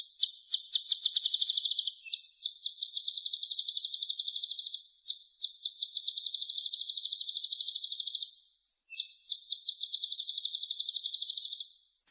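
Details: Kolibri ninja sunbird with a rich, full song repertoire, kept as a vocal tutor for other songbirds: very high, fast buzzy trills in long bursts lasting two to three seconds, separated by brief pauses.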